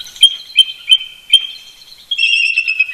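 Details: Early-morning chortling of an eagle pair at Big Bear Lake, California, 18 November 2018, the couple communicating from a roost near the nest; four quick piercing notes, then a fast run of thin, squealing chatter.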